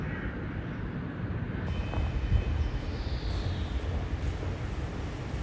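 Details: Steady low rumble of vehicles and a passing aircraft fills an outdoor urban scene, with no animal voices standing out.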